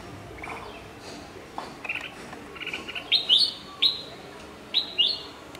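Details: White-eyes give thin, high, sharply slurred chirps in a loose series, several in quick pairs, while bulbuls call alongside and a shikra sits nearby.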